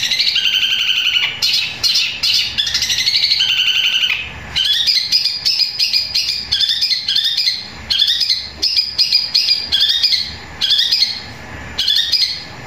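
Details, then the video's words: A Long-tailed shrike delivers a loud, long, powerful song mimicking sparrow fighting calls: harsh, chattering fast bursts of squawky, sparrow-like notes, pausing briefly every few seconds before starting again. "Cendet suara gereja tarung sambung kunti gacor panjang keras powernya"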